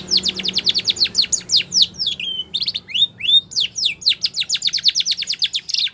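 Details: Song of a Spanish Timbrado canary for training: dense runs of quick falling notes, a few slurred whistles in the middle, then another fast even rattle.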